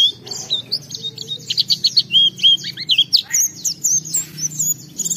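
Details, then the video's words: Oriental white-eye pouring out a hurried, varied chatter of high chirps and twittering notes, intended to provoke other white-eyes to sing along. "Pleci Gacor MUNTAHKAN Isian Memancing Semua Pleci Ikut Gacor"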